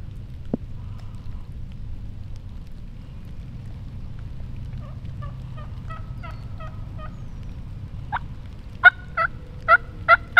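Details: Wild hen turkey yelping: after a quiet stretch, faint notes build into a series of five loud, sharp yelps at the end, over a steady low background rumble.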